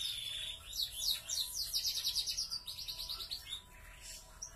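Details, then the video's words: Big-bodied Yorkshire-type canaries, a YS foi and an F1 YS, singing vigorously: a fast, varied run of bright whistled notes and rolling trills, sweeping up and down and flowing without a break for about three seconds, then fading. "kenari gacor YS foi VS F1 ys"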